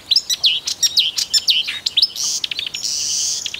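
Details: Marsh warbler in Russia delivering a rapid, jumbled song of sharp swooping whistles and clicks, ending in a harsh, buzzy rasping phrase.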